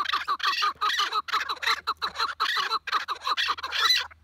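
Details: Chukar partridge giving loud grating chuck calls in fast repeated series, about two per second, the notes harsh and clucking with short pauses.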